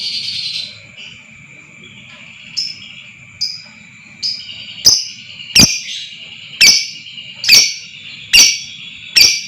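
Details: Lovebird sound intended to spark a long ngekek trill: short high chirps at first, then sharp, clipped calls about once a second, each ending in a brief downward tail, over a steady high tone.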